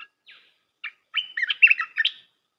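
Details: Red-whiskered bulbul song used for training young birds: a few scattered chirps, then a quick run of warbled, looping whistled notes between mid and high pitch, each phrase bright and slurred.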